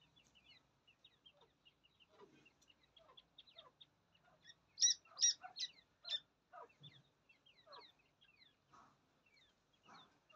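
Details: Francolin chicks at play: thin, high peeps scattered throughout, with a burst of louder, sharper notes in the middle, over a quiet background.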